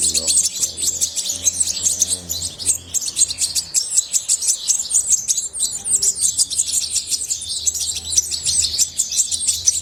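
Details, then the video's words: A European goldfinch sings a long, lively run of sharp, high chips and liquid trills, energetic and unbroken, over a faint low hum. "طائر الحسون من أجمل الطيور وأنداها صوتاً"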